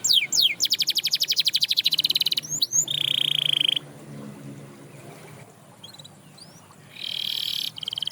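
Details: Canary, described as getting others to sing again, sings fast rolling trills and a short steady high buzz, falls quiet for a few seconds, then resumes with another high trill.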